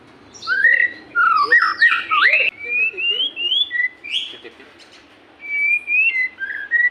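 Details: White-rumped shama song used as a lure to get reluctant captive shamas to sing: loud, clear whistled phrases with sliding, rising and falling notes, some rich warbled bursts, then level whistles repeated after short pauses.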